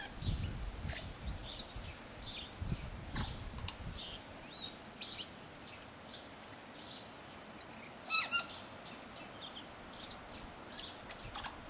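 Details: Tui singing in a cabbage tree: scattered high whistled and chiming notes, with a burst of sharp clicking notes near the end, over a low rumbling background.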